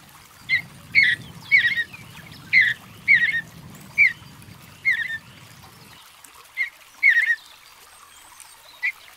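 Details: Mountain bluebird giving quick, burry warbled notes in rapid succession, then sparser phrases, with a steady low rumble underneath during the first part that later stops.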